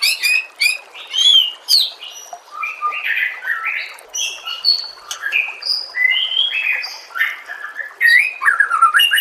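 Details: Murai batu, the white-rumped shama, singing a long, rich medley of clear whistled phrases, rapid chattering trills, sharp high chips and slurred falling notes, changing pattern every second or two without pause.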